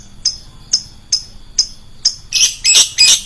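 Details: Shrill lovebird lure call: five spaced, thin, high chirps, followed by three loud, harsh, broad squawks in quick succession.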